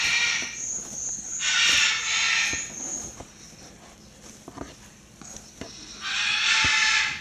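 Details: Hand-raised pair of Blue-and-yellow macaw nestlings aged 25 and 27 days make loud grating, hissy squawks lasting over a second, two bursts early and one at the end, with soft taps and a constant indoor hum between.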